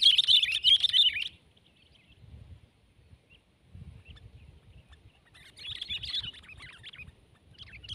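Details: Sooty-headed bulbul (kutilang) in a tense fight with another bird: loud bursts of chattering, squeaky high notes at the start and again from the middle onward, separated by a quiet gap with low rumbling background noise.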